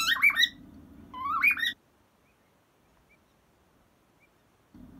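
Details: A 23-year-old pet cockatiel serenading a soft cockatiel toy indoors: two quick warbled whistle phrases with upward slides, then near silence, and a low hum returning at the end.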